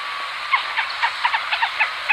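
A Black Rail gives a quick series of short, sharp notes, about four per second, over a steady background hiss.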